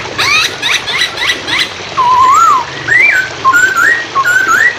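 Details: Hwamei singing for training songbirds, with flowing water behind. A quick burst of sharp chirps opens, then rich whistled phrases follow, rising and falling in smooth slurs.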